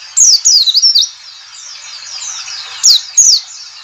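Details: Ngalas call of a white-eye, used to lure white-eyes into singing: a rapid chain of high, swooping whistles rising and falling, then a lull of faint chatter and two final sharp downslurred notes.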